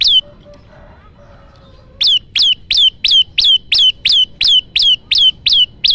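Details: Lure song of the Olive-backed tailorbird for trapping: after faint low sounds, a steady train of about twelve shrill, downslurred notes begins, repeated nearly three times per second with mechanical regularity.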